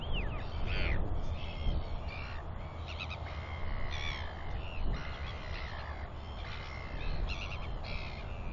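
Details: Royal albatross chicks calling near a feeding parent that clacks at an approaching chick: busy bursts of harsh, harmonic wheeing and clattering notes throughout, against loud wind noise.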